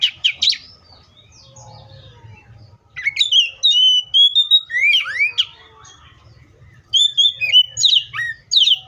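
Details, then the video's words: Oriental magpie-robin opening with sharp chipping notes, then two whistled phrases of steady clear tones, rising slurs and abrupt chips, with a faint low hum behind. "THE BIRD COPSYCHUS SAUCARIS VOICES MUCH LONG LIKE IN NATURE!"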